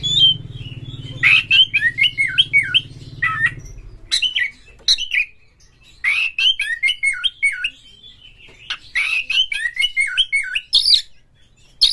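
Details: Oriental magpie-robin kept in a cage, its song used to provoke rivals into singing and fighting: quick runs of clear whistled, warbling notes in bursts, with a low rumbling hum during the first four seconds.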